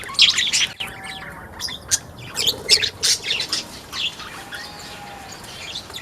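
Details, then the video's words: Sunda white-eye singing in a mini aviary, 1 November 2024: bursts of high, buzzy twittering notes in quick succession, with a faint low whistle in the background. "Burung Pleci Buxtomi yang Selalu Gacor di Al Aswa Aviary"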